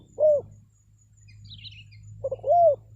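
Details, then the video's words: Lure call of a spotted dove for wild birds: a single short coo, a brief gap with faint high chirping, then a new phrase beginning with quick soft notes and a longer arched coo, low hum beneath. "SUARA PANGGILAN TEKUKUR PIKAT, BURUNG HUTAN PASTI NYAHUT"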